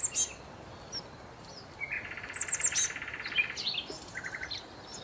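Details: Sparrows at a hotel in Marsa Alam, Egypt, eating leftover food from the tables after breakfast; brief high chirps and a short buzzy run of notes over a steady background hiss.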